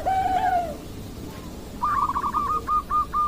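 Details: Zebra dove, Bangkok perkutut strain: one drawn-out falling coo, a pause, then a short burry rolling trill of quick notes, set against constant background hiss.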